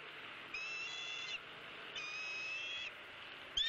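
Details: High, steady whistled calls at a nest camera in Southwest Florida, where a one-month-old bald eaglet pecks at an opossum brought by its father, 28 January 2017. Two long level notes, then a sharp start of a third.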